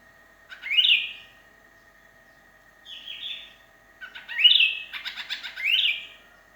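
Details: Sooty-headed bulbul calling to companions while alone, sound meant to draw other birds: short upward-slurring whistled phrases, some softer, one mixed with a quick rattle, over a constant faint tonal hum.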